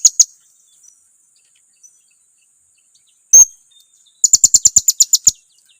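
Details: Blue-crowned hanging parrot lure call, used to provoke rival birds into reacting: a few sharp, thin high chirps, a loud click midway, then a rapid run of about ten shrill, piercing chirps near the end.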